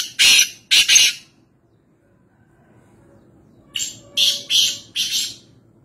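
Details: Black francolin, locally kala teeter, at Nawabshah, Pakistan: two loud harsh, high-pitched chirping bursts, a quiet pause, then a series of four similar grating bursts, with no other clear sounds.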